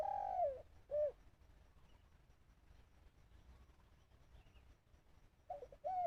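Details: Decoy dove used in Thai bird trapping, calling toward wild birds: a drawn-out coo followed by a short clipped note, a quiet pause of several seconds, then more short arched coos at the end.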